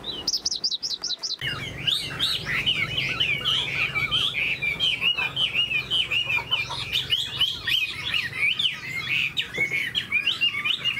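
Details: Caged Chinese hwamei set down to show its fanned tail and eagle-wing display. High rapid trills open the passage, followed by a long run of jumbled warbling whistles. Steady background rumble and noise are heard throughout.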